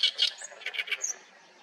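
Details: Oriental reed warbler in a Haenam reed bed: a short burst of rasping, chattering notes and one thin high whistle, ending abruptly after about one second and followed by quiet.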